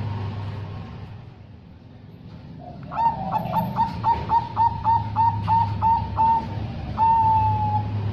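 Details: Female zebra dove, whose call males are said to answer fastest: after a quiet start, a quick run of short bright repeated notes closing with one longer note, a low background rumble throughout.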